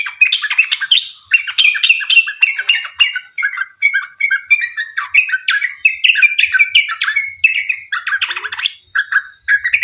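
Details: Long 'ropel' song from a lively sooty-headed bulbul, intended to make other bulbuls sing along. Chattering, bubbly phrases pour out almost continuously, broken only by a few short gaps.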